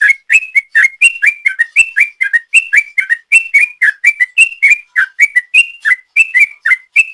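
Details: Long 'ropel' song of a sooty-headed bulbul, played as a lure. Dense, steady chain of clipped whistled notes, rising and falling slurs alternating quickly for the whole stretch, otherwise quiet.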